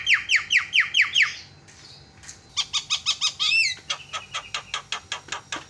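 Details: A Javan myna call used to provoke other mynas into calling: rasping downslurred notes repeated quickly, a pause, then a long fast run of sharp clicks and chattering notes.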